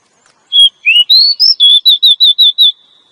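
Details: Female Oriental magpie-robin calls to make a male sing or come into breeding condition: a rising whistled run of notes, then a quick even series of about six short falling whistles, clean and quiet behind.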